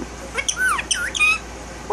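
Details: Male Indian ringneck parakeet talking: a run of squawky, harmonic syllables with sweeping and arching pitch, several quick bursts over two seconds, the last rising sharply at the end.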